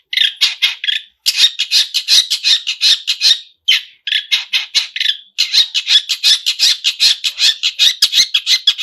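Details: Pentet, or long-tailed shrike, singing energetically with mimicked phrases: a fast, nearly unbroken scratchy chatter of rasping notes, pausing briefly only two or three times.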